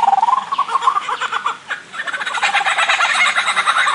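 A lyrebird gives a quick run of throbbing mid-pitched notes, then breaks into dense, rapid chattering and clicking that fills the rest of the clip.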